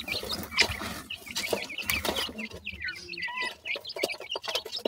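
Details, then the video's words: Grey francolin chicks chattering with thin, high chirps and brief whistled trills, calls tumbling over one another amid loud clicks and scuffling. "pheasant chicks talk,baby partridge are big great,titur k bachay"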